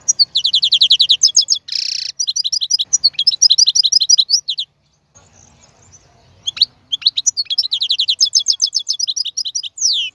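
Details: Singing male European goldfinch, recorded to teach chicks their song. Long runs of fast, tinkling twitters broken by a buzzy rasp, a quiet pause of about two seconds, then the bright twittering resumes.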